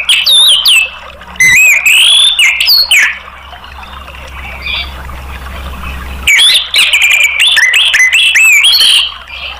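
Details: Orange-headed thrush (anis merah) therapy song, played to lure other caged birds into singing: loud bursts of varied whistled phrases, sliding and warbled notes, for about three seconds. A quieter gap with low hum follows, then a second rich burst.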